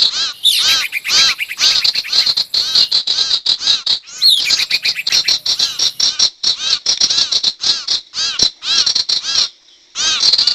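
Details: Wild-bird trapping lure of sirtu: nearly continuous harsh chatter, rasping arched notes packed in fast runs with overlapping callers, one short pause before a final burst of calls.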